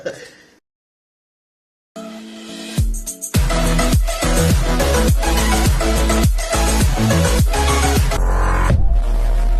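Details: Electronic dance music with a heavy, pounding bass beat and dense synth layers starts after a brief silence, with no animal sound heard.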